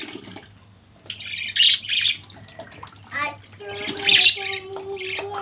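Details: Budgerigars in a family group give a few loud, harsh chirps between quieter stretches, with tonal humming notes and a steady low hum in the background.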